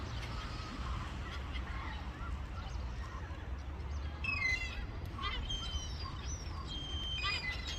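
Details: Several herring gulls give harsh, nasal mewing calls that overlap in short bursts, over a steady low rumble of wind and surf; finding: Herring gull.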